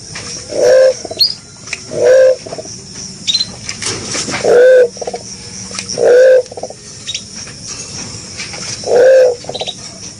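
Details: Green pigeon (punai) in full voice: hollow half-second coos repeated at uneven intervals about every one to two seconds, mixed with thin, high chirps from other birds.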